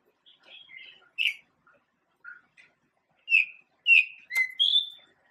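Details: Melodious song of a male pied bushchat, a small Asian songbird: soft warbled notes leading into loud, clear whistles that rise and fall, delivered in short separate bursts about half a second apart, otherwise quiet.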